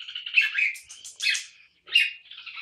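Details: Red-whiskered bulbul, a cage bird, delivering poi-sian (โป้ยเซียน) style song: rich gurgling warbled phrases in three bursts separated by a short pause.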